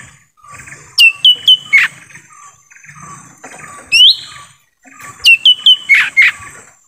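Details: Lure call of a lesser green leafbird in forest, for pulling in wild birds: a fast run of three or four sharp whistled downslurs, a rising upsweep mid-clip, then another whistled run with harsh rasps.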